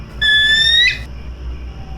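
A Bald Eagle gives a single thin, high whistled note that rises slightly and ends in a brief squeaky break, far from the expected harsh scream.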